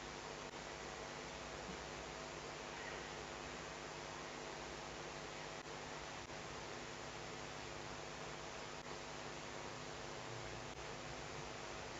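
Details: Steady broadband hiss with a few faint clicks and no animal voices.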